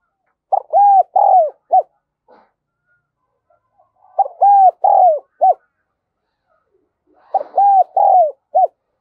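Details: Spotted dove decoy calling to lure other doves, đồng son voice. Three repeats of a four-note coo phrase, each about three seconds apart: stutter, two long hollow notes, a short final coo. Faint rustles fall between the phrases.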